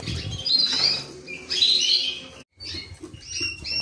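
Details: Creamino canary delivering long, buzzy warbled phrases with layered high notes, a brief silent break, then shorter whistled syllables, with some low rustling.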